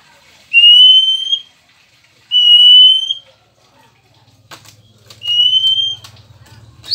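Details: Male Oriental magpie-robin kept at home, giving three long pure whistles, each slightly rising and lasting about a second, spaced a couple of seconds apart, with a low hum in the background.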